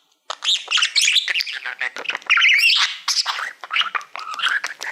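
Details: Male pet budgie warbling at a shiny plaque he loves as a mirror, a fast stream of scratchy chirps, squeaks and buzzy trills with brief whistled rises, loud and unbroken after a short silent start.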